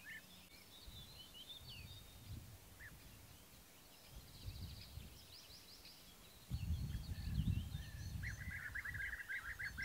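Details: European bee-eater male and female in courtship season, with courtship feeding, in Baden-Württemberg, Germany, May 2015, give soft, rolling, burry 'prruip' calls that quicken into a run, over heavy wind rumble with faint higher chirps.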